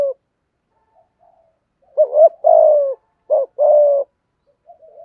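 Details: Spotted dove giving a full call-and-coo sequence to stimulate other doves; after soft murmuring, a wavering double coo and a long coo, then a short note and another sustained coo, ending with faint low murmurs.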